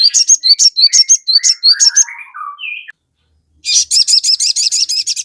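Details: Crested jay singing, a recording meant to provoke birds into quick, agitated replies. Rapid high chirps slide into a few lower descending whistled notes, then a brief silence and a renewed burst of quick repeated chirps.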